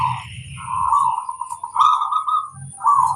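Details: Zebra dove, a local bird with a loud voice, singing to draw answers from other birds. Rolling trilled cooing phrases come in runs, with a low hum and faint background noise underneath.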